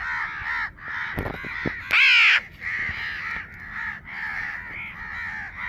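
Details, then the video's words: Baby crow producing short nasal caws in bursts separated by brief pauses. A loud, strained, longer caw stands out near the middle, and a few sharp taps sound just before it. "Baby Crow sound || crow bird crowing sound || crow ki awaz naturally"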